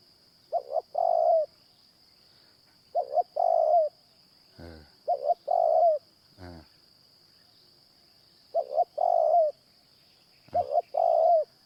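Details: A Spotted Dove used as a caged decoy, or wild birds it draws in, coos repeatedly at a morning trapping session. There are five phrases, each two quick low notes then a drawn-out steady coo. Sharp clicks fall between some phrases, over a thin high whine.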